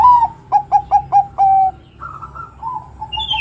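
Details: Zebra dove, Bangkok type, delivering its song meant to rouse other doves: a rising coo, four short punchy notes and a long steady last note, with several softer doves answering afterwards.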